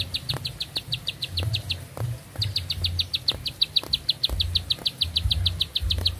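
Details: Bar-winged prinia singing at length: a quick series of piercing high notes, about three a second, with one brief pause before the run resumes, over low background rumble.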